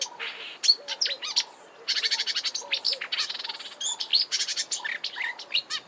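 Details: Marsh warbler singing at Kap River Nature Reserve, Eastern Cape, South Africa, March 2020: a fast rambling warble of high, sharp notes, with repeated buzzy note series and mimicry mixed in.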